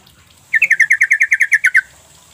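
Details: Lure recording of a sooty-headed bulbul meant to provoke silent birds into replying: one rapid, even rattle of about eleven bright, clipped notes lasting just over a second, with a faint hum behind.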